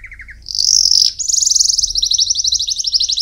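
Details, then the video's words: A canary sings a bright, high, rolling training song meant for young birds: a brief low chirp run, then rapid trills of fast, even notes held high and steady. "Canary Singing - Most Spectacular HD Video Training For Chicks"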